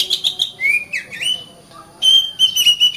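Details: Oriental magpie-robin singing vigorously ('gacor'): quick bursts of sharp clipped notes, then clear rising and dipping whistles with a short pause before a fresh run of bright, warbling phrases.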